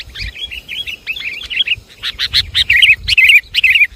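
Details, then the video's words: Lure call of the sooty-headed bulbul: fluttering, bubbly chirps repeated about twice a second over a low background rumble, growing louder toward the end. "Suara pikat burung kutilang"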